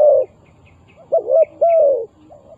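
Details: Decoy spotted dove calling to lure wild doves into a trap: deep, mellow coos, one drawn out, then a quick doubled note and a long falling coo, with a faint trailing note.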